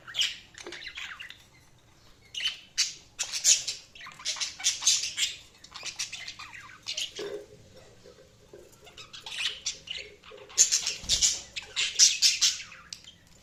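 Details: Budgerigars chirping: dense, bright chattering warbles and scratchy squawks in overlapping bursts, rising and falling in loudness, with a brief quieter stretch midway before the lively chatter resumes.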